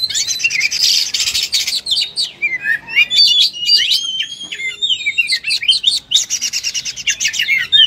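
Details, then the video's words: Fighting-style song of a kacer, the oriental magpie-robin, full of material: a buzzy rattling opener, then a chain of upward-slurred whistles and long thin tones, ending in another harsh trill. "Kacer full tarung muntah materi"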